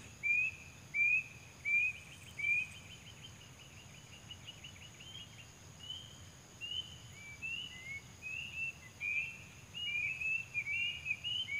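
A cuckoo gives four clear, high whistled notes about a second apart, then a quicker run of wavering notes that speed up and rise, over a steady insect hum.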